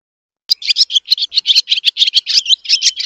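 A swallow twitters in a quick, chattering run of high, scratchy notes, roughly five per second, without pause.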